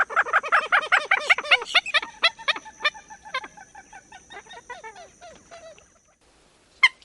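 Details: Common gallinule in Wisconsin giving a rapid run of harsh, chicken-like clucks, about three per second at first, then slowing and fading over six seconds. A last sharp note comes after a brief silence.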